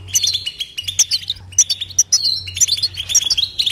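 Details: Continuous batbata twitter of a European goldfinch without pauses: quick sparkling chirps, clipped notes and thin whistled slurs in fast bursts, with a faint low hum beneath.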